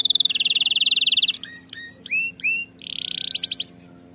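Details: Canary tutor song for singing practice: a fast pulsing trill, several bright upslurred whistles, then a second quick trill of rising notes. A steady low hum plays faintly under the singing.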